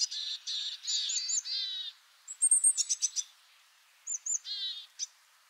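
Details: Willow tit (Poecile montanus), call.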